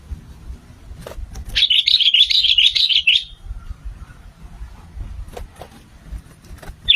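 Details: Sooty-headed bulbul used as a lure to attract others and get them singing. A continuous rippling stream of liquid warbled notes lasting about two seconds, then quiet with scattered clicks and a final short note.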